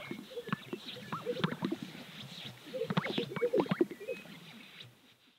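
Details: Greater sage-grouse (Centrocercus urophasianus) displaying on a lek in central Montana: low, bubbling plops and sharp pops with quick swishing sounds, several birds overlapping and fading near the end.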